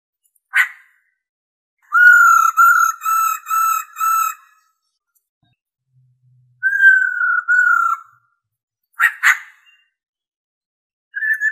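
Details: Female white-cheeked laughingthrush, calling to excite a male, gives five clear level whistles after a sharp click, then two longer slightly falling whistles, followed by more clicks and a brief whistle; quiet background.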